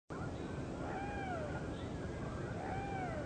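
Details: Great blue heron chicks in a nest, anxious for breakfast, chirping to say they are hungry, in slow motion: drawn-out, arching harmonic cries that rise then fall, two clear ones about two seconds apart over steady rushing background noise.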